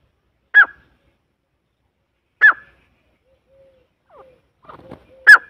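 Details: Grey francolin giving single loud, sharp calls spaced about two seconds apart, with faint soft scratchy notes between them.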